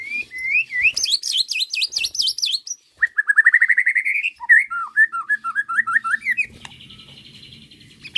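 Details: White-rumped shama singing in a bait recording used to make other shamas answer and show their full repertoire: bright whistled phrases, fast rising and falling high trills, a steady rising series of notes, then looping whistles and a thin buzzy end.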